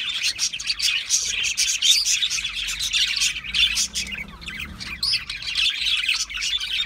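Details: Budgerigars squawking and chirping together, with sharp shrill notes punctuating a constant scratchy warble.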